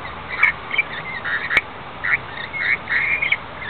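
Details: Wild rainbow lorikeets on the Gold Coast, Australia, give harsh, screechy chattering notes in quick, irregular bursts over a steady hiss of rain, with a couple of sharp taps like drops striking an umbrella.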